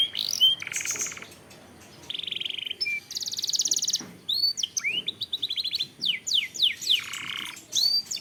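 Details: Canary masteran song played to trigger singing and excitement in other canaries: alternating buzzy rolls at different pitches, short clipped notes and fast upslurred whistles, with brief gaps between phrases.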